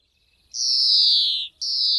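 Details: European greenfinch song: a long, drawn-out wheezy note sliding slowly downward for about a second, followed after a short gap by a second similar buzzy wheeze. No other sounds.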